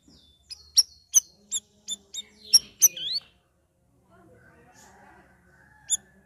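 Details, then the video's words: Sooty-headed bulbul, a kept bird in its third week of ombyokan training, singing in the ngeriwik ngeplong style: a run of sharp, high chirps about every third of a second, then a faint low warble and one last chirp. "CUCAK RAWIS NGERIWIK NGEPLONG"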